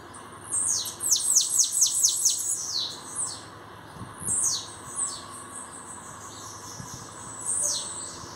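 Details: Bananaquit showing its qualities soon after arriving: a quick rattling series of about eight sharply falling, very high, buzzy notes, followed by sparser thin sweeps and pauses.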